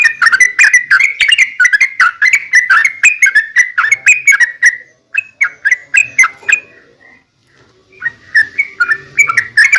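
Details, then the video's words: Sooty-headed bulbul delivering a long rapid 'ropel' sequence meant to lure other bulbuls: about five seconds of rolling whistled notes, a short lull with a few soft notes, then the phrases resume. "trucukan gacor ROPEL PANJANG buat pancingan trucukan agar bunyi jadikan burung trucuk gacor NYAUT"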